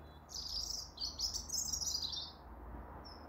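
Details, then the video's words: Orange-breasted robin singing outdoors, a run of high, rapid chirpy twitters in close bursts for about two seconds, then a short thin note, over a steady low background hum. "Listening to this birds lovely tweeting"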